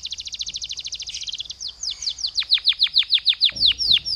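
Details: Canary song used as a lure to get other canaries singing: a fast, even trill of high chirps for about one and a half seconds, then a run of sharply descending whistled sweeps repeated roughly three times a second.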